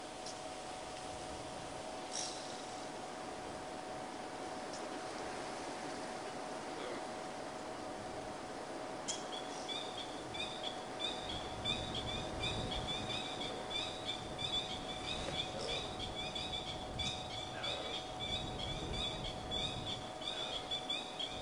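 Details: Coqui francolins call "coqui, coqui" on a morning safari drive in Djuma Game Reserve, South Africa, on 8 April 2011, with short, repeated high notes over a steady vehicle engine hum.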